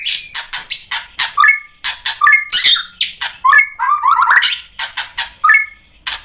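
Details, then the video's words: White-rumped shama song to provoke rival shamas: rhythmic clicking notes mixed with short whistled phrases and a rapid rising warble. "MURAI BATU GACOR memancing EMOSI jadi BUNYI NYAUT BONGKAR MATERI ISIAN | PANCINGAN MURAI batu"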